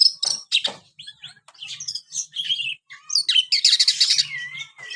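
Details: Dense chattering song of a white-rumped shama: rapid buzzy notes, harsh bursts and short whistles packed closely together, with a faint low hum in the background.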